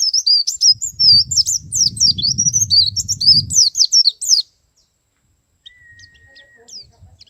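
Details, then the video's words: Male white-eye singing in the ngalas and nembak styles: a rapid, dense run of high, thin twittering and warbled notes for about four seconds, then silence, with a low rumbling noise under the song. "suara pleci jantan ngalas dan nembak"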